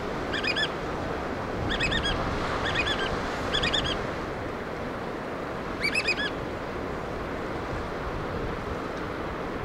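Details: Black oystercatchers feeding chicks: several brief bursts of high, rapidly repeated piping whistles, partly drowned by loud breaking waves.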